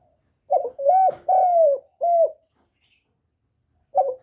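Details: Captive decoy spotted dove calling to stir other kept doves. A phrase of throaty coos: a brief note, two long slurred notes falling in pitch, then a short final coo. Silence follows before a new phrase starts.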